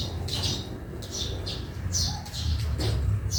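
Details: Sparrow chirping in a backyard, a series of short, high squeaky notes at irregular intervals, over a low droning hum.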